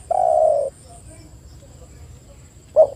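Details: Spotted dove used as a lure for other doves: a single long, steady, slightly falling coo, silence with faint background hiss, then the onset of the next note.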